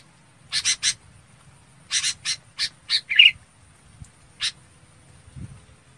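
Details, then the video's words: A red-whiskered bulbul calls to gather the flock with rasping, clipped notes. They come in groups of three and four, then one louder buzzy note and a final isolated chip over quiet background. "Tiếng Chào Mào Bông gọi bầy"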